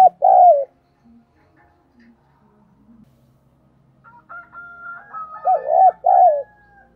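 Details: Spotted dove used as a lure to provoke cooing, thổ-style voice: a short two-note coo, silence, then a steady whistled tone with another double coo at the end.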